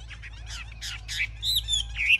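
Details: Caged Chinese hwamei, shown with wings raised and tail fanned and described as a fierce fighting bird. It gives a short burst of varied chirps and buzzy notes, ending in a few high, clear whistled slurs.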